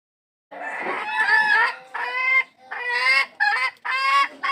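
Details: Hen calling for a rooster: loud, harsh, nasal squawks with rich harmonics in about five bursts, a long first call then shorter clipped ones, following half a second of silence.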